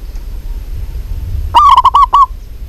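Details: Vigorous song of a local zebra dove: after a quiet start, a single run of about six short cooing notes, crisp and mellow at an even pitch, over faint low hum.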